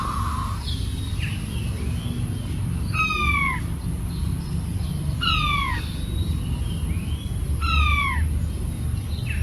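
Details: King quail giving three loud, descending whistled calls, each a sliding downward note with harmonics, spaced about two and a half seconds apart, over a steady low rumble with a few faint softer chirps between.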